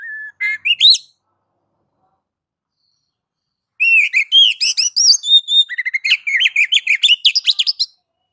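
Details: Oriental magpie-robin (kacer) singing in the ngeplong style, used to prompt other kacer to sing: a short rising whistled phrase, a pause of about three seconds, then a fast run of varied chirps and whistled notes. No other sounds.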